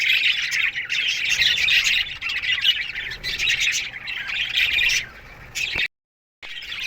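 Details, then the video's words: Budgerigars in an aviary keep up a busy morning chatter of high, raspy chirps and warbles from many birds, broken near the end by a sudden brief silence. "Budgies Morning Chirping Sounds"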